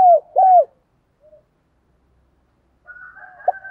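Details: Spotted dove calls used daily to train decoy birds, from male and female doves. Two loud, low, arched coos open, followed by silence, then a softer, drawn-out cooing phrase with a sharper note near the end.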